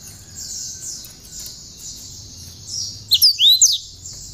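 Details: A cinereous tit sings with bar-winged prinia notes, intended as a tutor for other songbirds. One short, loud phrase of swooping, whistled high notes follows a background of steady, thin, repeated downslurred chirps.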